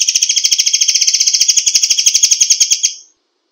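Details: White-rumped shama delivering a 'tembakan rapat' burst: a continuous, loud, high rattle of rapidly repeated buzzy notes, about ten per second, lasting nearly three seconds before fading out.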